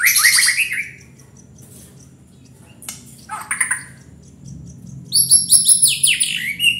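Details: White-rumped shama singing: a burst of descending whistled notes, a pause, a brief rasping phrase, then a run of high ringing notes at the end.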